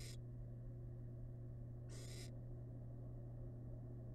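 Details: Small wild barn owl chick eating rabbit leftovers inside a camera-watched nest box gives two rasping hisses, one at the very start and one near two seconds, with a constant low hum underneath.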